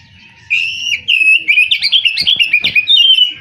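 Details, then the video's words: Oriental magpie-robin (kacer) singing: after half a second of quiet, a run of loud, varied whistled phrases and fast chattering notes, high and bright, tumbling almost without pause until the end. "KICAU BURUNG KACER"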